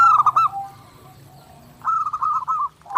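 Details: Zebra dove (perkutut) singing continuously in a clear master recording for daily training: two bursts of rolling, bubbling coos of rapid repeated notes, separated by a quiet pause of over a second.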